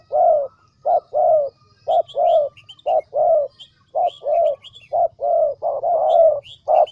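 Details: Decoy spotted dove from the Central Highlands of Vietnam cooing steadily: low, rounded notes in close pairs and triplets, almost continuous, with thin chirps of other small birds above and a faint low hum.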